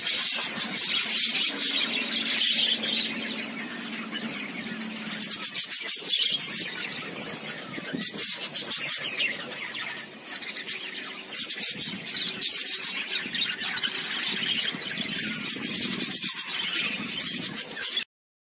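Budgerigars chatter nonstop in a dense wash of high, scratchy chirps and warbles.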